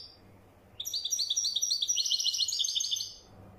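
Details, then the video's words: Wedani-type European goldfinch singing a continuous rapid twitter of bright, tinkling, rolling notes for over two seconds, rising slightly in pitch midway, against quiet background hum. "تغريد لطائر حسون ويداني"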